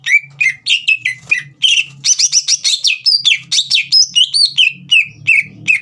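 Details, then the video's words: Energetic green leafbird song meant to stir a young bird into singing: fast, varied whistles and chattering bursts, downward-slurred notes in quick succession with a dense rolling middle passage; low hum in background. "CUCAK IJO GACOR INI SPONTAN MEMANCING EMOSI CUCAK IJO BAHAN TROTOL AGAR GACOR"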